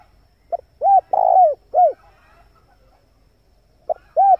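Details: Male spotted dove calling, used to lure wild doves: a short cooing phrase of one brief note, then a long rough coo and a falling coo, repeated after a pause. The recording is clean with no other sounds.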